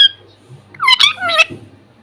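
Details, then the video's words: Talking parrot kept as a pet, uttering two short harmonic, word-like sounds that dip and rise, indoors with faint background hum. "बोलने वाला तोता || Talking Parrot || my parrot real sound voice"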